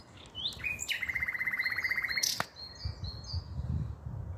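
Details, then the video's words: Common nightingale singing on 5 May 2023: a few high thin notes lead into a fast, even trill of about twenty repeated mid-pitched notes, ending abruptly in a sharp click, then quiet. "Śpiew słowika rdzawego"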